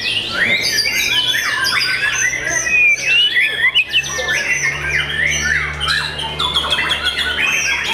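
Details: Young white-rumped shama: dense, loud song of rapid sweeping whistles, squeaky slides and harsh notes, packed tightly with overlapping calls from other birds.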